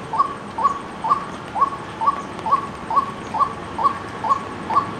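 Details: Even, rhythmic string of short upward-flicking notes from a white-breasted waterhen, about two per second, eleven in quick succession, steady in pitch and loudness over quiet background noise.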